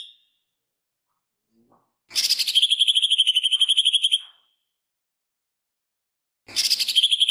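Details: Green leafbird giving two fast, rattling bursts of high, ringing notes, each about two seconds long and repeated four times a second, imitating a woodpecker; recording is meant as training material for other birds.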